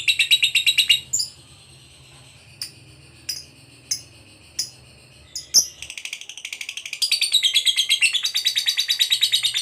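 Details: Lovebird of the fighter type in the long 'ngekek' style used to goad other lovebirds: a brief shrill chattering burst, then sharp separate chirps with gaps, then the rapid high trill resumes strongly to the end, over a faint low hum.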